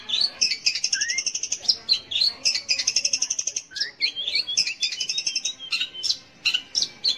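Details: Long-tailed shrike singing as a lure for young or silent shrikes: dense, rapid chattering trills of high scratchy notes, interrupted by short rising whistles and varied mimicking phrases, delivered almost without pause.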